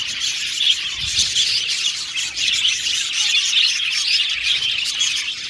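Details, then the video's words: Budgerigars in an aviary colony, a steady dense mass of overlapping high chirps and warbling twitters from many birds, with no pauses and no other sounds. "Budgies Chirping Sound"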